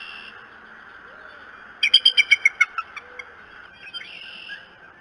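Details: At the Decorah nest on the morning of 21 March 2018, a bald eagle gives a quick run of shrill staccato whistles that step downward and slow, then trail off into softer notes over a low steady hum.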